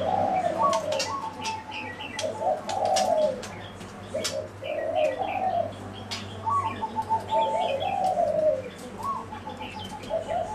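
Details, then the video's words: Zebra doves giving soft, rapid staccato cooing trills in short bursts, several phrases rising and falling slightly over ten seconds, with faint chirps from other small birds and a low steady hum behind. "Doves - the Zebra Doves"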